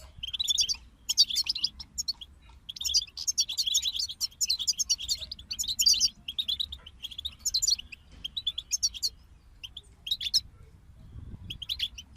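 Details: European goldfinches singing as a group, used as motivation for other songbirds; bursts of bright, rapid twittering chirps and liquid trills in dense phrases, brief pauses around the eighth and tenth seconds, over a faint low hum.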